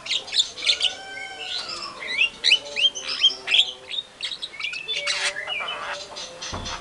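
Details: White-rumped shama in full, energetic song, played to provoke rival shamas: rapid bright whistles and slurred sweeps, about three notes a second, broken by harsher squawky chatter, ending with a low thump.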